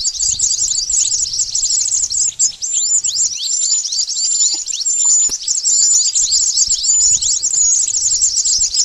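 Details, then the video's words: Lure recording of pied bush chat for bird trapping, packed with fast high-pitched chirps and short sliding whistles repeated in a continuous stream, briefly dipping in loudness before resuming; faint low background noise. "Suara pikat burung mantenan ampuh"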